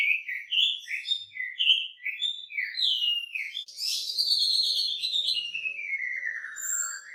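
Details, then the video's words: Energetic, richly varied Wambi song. A series of short, rising and falling whistled notes is followed by a harsh, noisy burst and then one long whistle that glides steadily downward. A faint low hum runs underneath. "Burung wambi gacor isian mewah"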